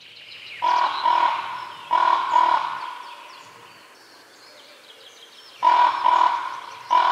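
A crow gives loud, harsh, hoarse caws in quick doubled bursts, then a long pause before the caws resume. No other sounds stand out.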